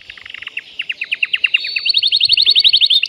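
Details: Male canary singing to arouse a female for breeding: a series of sharp descending chip notes, then a fast, high, evenly repeated trill of bright notes accelerating toward the end.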